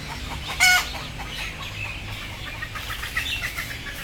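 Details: One sudden harsh squawk from frightened, sleepy chickens about to go on board, then quiet, scattered clucking and murmuring over a low hum.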